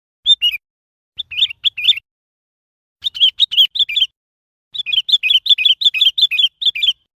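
Sooty-headed Bulbul giving short bursts of bright, bubbly whistled notes, dropping slightly in pitch, in quick phrases with brief pauses between.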